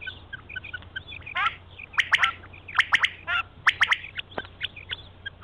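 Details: Quail giving sharp, harsh clipped notes in quick groups of two or three, repeated irregularly, with softer chirps between and a low steady hum beneath, used as a hunting lure call in the morning.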